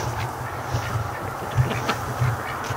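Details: Pen of domestic ducks, including Muscovies, that sleep by day and wander around at night; a couple of brief low quacks sound over a steady hum.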